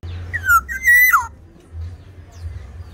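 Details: Sumbawa black-naped oriole, tame and in full song, delivers a clear fluty whistle that falls, then holds higher before sliding down sharply, followed by quiet with low hum.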